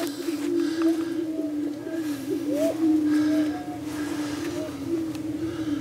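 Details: Prairie chickens gathered on a lek at Bluestem Prairie Preserve, Glyndon, Minnesota, produce a sustained low humming boom, with fainter rising whoops and cackles scattered across the clip.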